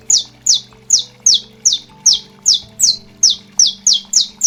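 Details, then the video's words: Male-style contest song of a saffron finch in the 'canto estalo forte' manner, meant for warming up and tournament training: about a dozen loud, crisp downward-sliding notes, evenly spaced roughly three per second, over a low constant hum. "CANÁRIO DA TERRA – CANTO ESTALO FORTE"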